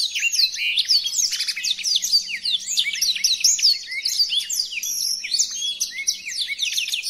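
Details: Blackthroat tutor song, one of five variations: a continuous, lively medley of sharp high chirps, trills and slurred whistles packed tightly together, a short thin very high note near the middle, with no background noise.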